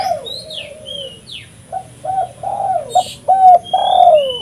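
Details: Spotted dove (tekukur) calling, a recording used to lure and attract birds: a soft, low falling coo, then a run of short repeated coos ending in a longer drawn-out note, with thin high chirps of other birds above.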